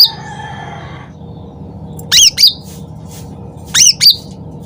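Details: Sooty-headed bulbul in loud, lively lure song: paired sharp, squeaky notes sweeping up then down, sounding twice in under five seconds, after a brief drawn-out harmonic tone at the start over a steady low hum.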